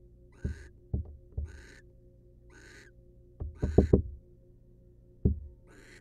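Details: Barn owls in a wild nest box during preening of the female by the male; soft hissing screeches recur through the clip, mixed with several loud wooden knocks and scrapes from movement in the box.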